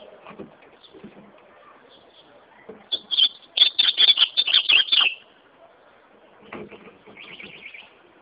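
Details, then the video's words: Ultramarine grosbeak singing: after soft scattered knocks, a loud rapid burst of about a dozen bright, high warbled notes runs for two seconds, then fainter rattling notes and a short high twitter follow. "azulão cantando"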